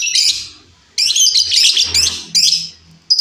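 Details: Wild female lovebird, recorded as a lure, gives loud, harsh, grating screeches in long noisy bursts, one stretching over a second, with short breaks between them.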